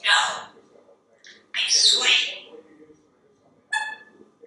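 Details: Pet parrot perched in a kitchen, chatting while waiting for dinner to be made, giving three bursts of humanlike speech: a rapid word, a longer bright phrase, then a short clear syllable, with a quiet room between.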